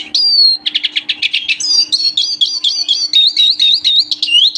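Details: Eurasian siskin, a captive singing pair, in loud song: a short whistled note, a buzzy stuttered run of chirps, then a long series of rapid wheezy rising-and-falling warbles, with a steady low electrical hum behind.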